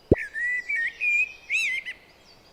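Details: A Common Blackbird (Turdus merula) sings mellow, fluting whistled phrases ending in a brief higher flourish; each phrase differs slightly, in a set sing-pause-sing pattern repeated again and again.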